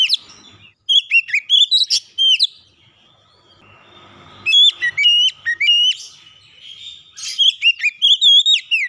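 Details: Kacer, the Oriental magpie-robin, singing as a lure for a reluctant house bird. Three bursts of bright, clear whistles and quick slurred notes are separated by quieter gaps with faint background hiss.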